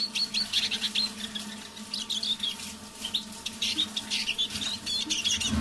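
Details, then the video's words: Caged Eurasian siskin singing softly in the evening: quiet, continuous high twittering and chattering phrases with brief whistled notes, over a steady low hum in the room. "Песня моего манного чижа"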